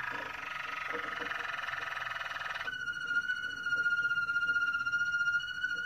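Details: Moroccan Malinois canary delivering a soft, water-like rolling tour for nearly three seconds, then changing to a pure, steady flute-like whistle held through to the end.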